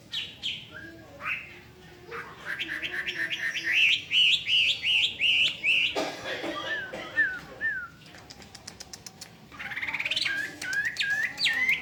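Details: Hwamei delivering a lively song of quick rising whistled notes strung together in rapid bursts, interrupted by a few slurred downward calls, then resuming with fast rising phrases.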